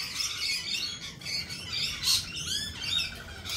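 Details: Noisy lorikeets trading harsh, high screeches and short upslurred chirps in rapid, overlapping bursts.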